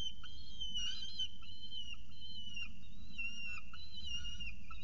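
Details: At a nest in Orange on an October 2018 morning, a peregrine falcon with pigeon prey gives drawn-out, quavering whistled cries in long bends, with short soft notes between, over low background hum.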